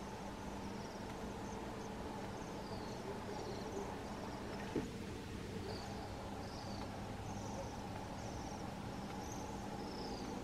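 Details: Flock of Bohemian waxwings at a crab apple tree in Telkwa, BC, on 15 January 2022, morning: a run of very high, thin, sibilant trills, one after another, above constant low-pitched ambient hum.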